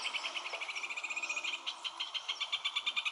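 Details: Rufous hornero, the mud-nest-building bird, singing: a long fast series of sharp, high repeated notes, accelerating and pulsing steadily throughout, with a second overlapping rhythm suggesting a duet.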